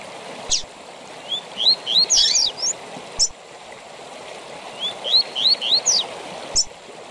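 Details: Double-collared seedeater tui tui zel zel song for training captive birds: two phrases of rising whistled notes with dense buzzy, crackling notes, each framed by a sharp high downstroke, steady rushing hiss throughout.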